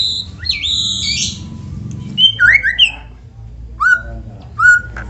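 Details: White-rumped shama singing as a prompt for other shamas: an opening of high, buzzy, warbling phrases, then loud separate whistles that swoop down and up, spaced about a second apart.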